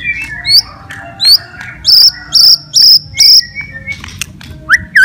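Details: White-rumped shama fighting song, meant to provoke other shamas: loud, sharp, upswept whistled notes repeated about twice a second, mixed with softer lower whistles.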